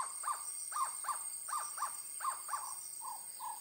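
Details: Owl with an owlet being fed: a quick series of about eight short, clear, arched notes at a similar pitch, each rising and falling, the last two flatter and softer, over a steady high-pitched insect-like drone.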